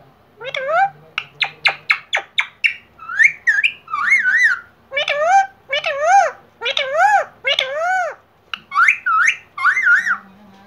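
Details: A talking pet parrot (rescued, uncaged): a quick run of clipped, nasal notes, then a string of wavering, speech-like phrases about one per second, over a faint low hum.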